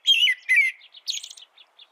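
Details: Two quick caroling whistles from an American robin, then a softer high twittering phrase that trails off into faint notes.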